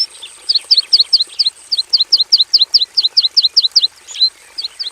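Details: A Javan bush lark, housed in a simple aviary, delivers an evenly paced series of short high downslurred double notes, about two and a half per second, closing with a few scattered chirps.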